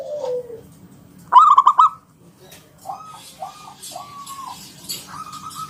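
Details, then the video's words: Local wild zebra dove singing in the ngalun kung bulat style to lure other doves into song; a low falling coo, then a loud burst of stuttered notes, followed by several short, softer level coos. "Suara NGALUN Kung Bulat - Perkutut lokal gacor Pancingan"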